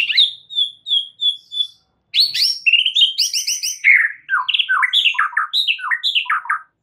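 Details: White-rumped shama (murai batu) singing a string of five even, clear whistles, a short pause, then an energetic rush of trilled, buzzy and sharply slurred notes in rapid succession.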